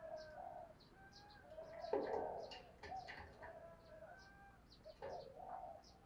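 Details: Spotted dove cooing to provoke a fight: soft, low, drawn-out coos against background noise, with scattered high chirps from other small birds.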